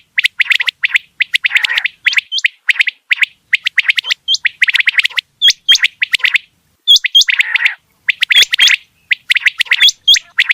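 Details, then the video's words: Quail chirping rapidly in an almost unbroken stream of short sharp notes, with high hooked whistles dropped in singly and in pairs throughout. "Batair Ki Awaz"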